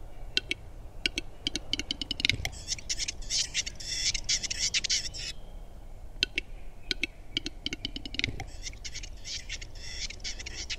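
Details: Lekking Western capercaillie: sharp single clicks speeding up into a rattling burst, followed by a drawn-out breathy, whetting hiss, with the click-to-hiss sequence returning after a short pause.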